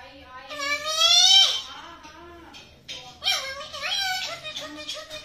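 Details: Pet parrot talking in an indoor room, producing speech-like, strongly harmonic syllables with swooping pitch in two drawn-out phrases, one falling and one wavering.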